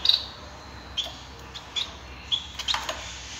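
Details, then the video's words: Male society finch, a Bengalese finch, in song, giving soft high chirps and squeaks at uneven intervals, quieter and set against a noisy background. "Society Finch Singing"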